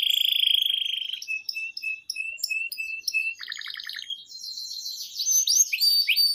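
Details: Canary song meant to tutor and prompt young canaries: a sustained pure whistle at first, then clipped chirps, a short buzzy stutter, and a fluttering high trill closing into rolling phrases.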